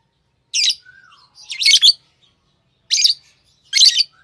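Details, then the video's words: Lovebirds give short, scratchy, high chirps in four separate bursts, with a brief soft falling whistle after the first burst. "Love birds Sounds | lovebirds chirping sounds| parrot beautiful sounds"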